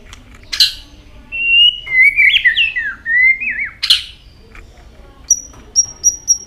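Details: White-rumped shama switching between many voices while its tail flicks continuously: a harsh burst, then a flowing phrase of wavering whistles, another harsh rasp, and thin high piping notes at the end.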